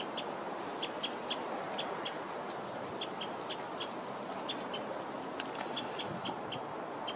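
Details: A winter wren in a botanical garden on 7 December 2023 gives sharp, high kip notes, singly and in quick pairs, several each second, over a steady rushing background like running water or distant traffic.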